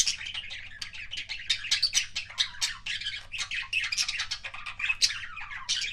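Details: Budgerigar kissing sounds from a pet bird: fast, crowded chirps, sharp squeaks and clicky smacks in rapid succession, loud and continuous, with background hum.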